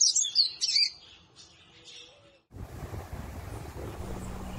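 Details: A Yellow-bellied Seedeater, one of Brazil's most beautiful songbirds, sings a rapid burst of high, sweet twittering notes for about a second, then goes quiet, leaving a steady rushing background noise.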